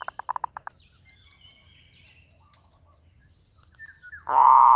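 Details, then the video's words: Zebra dove lure call: a quick series of about eight short staccato cooing notes, then quiet, ending with a loud, buzzy, rolling note that is cut off. "Suara pikat | MERBUK"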